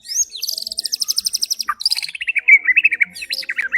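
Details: White-rumped shama song used as a lure to make other birds agitated and sing: a rapid series of clear high notes, then a dense run of quick buzzy trills dropping lower and speeding up toward the end.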